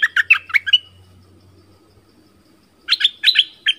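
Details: An orange-bellied flowerpecker sings in a recording used to lure wild birds. It opens with a rapid cluster of sharp chips, then a two-second lull, then another quick cluster of bright chipping notes.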